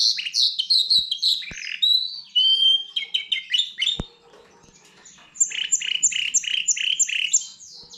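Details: Goldfinch x canary hybrid in full song, busy twittering with short whistled notes and a few sharp clicks, a brief lull, then a rhythmic string of repeated buzzy chirps.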